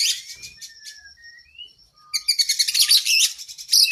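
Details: Oriental magpie-robin (kacer) singing gacor with long isian, a training song for cage birds: opening chatter, thin drawn whistles slurring up and down, then a loud, continuous run of rapid buzzy, scratchy notes.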